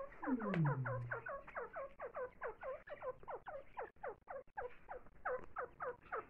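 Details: Grey francolin feeding its chicks, giving rapid, evenly repeated clucking notes that each slide downward. A brief low, falling groan sounds at the start.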